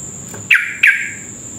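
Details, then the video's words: Sooty-headed bulbul singing, used as a lure to set other bulbuls singing: two quick bright whistled notes, each dropping then holding steady, under a thin constant high-pitched whine. "trucuk gacor ropel panjang cocok buat pancingan trucuk cepat ropel"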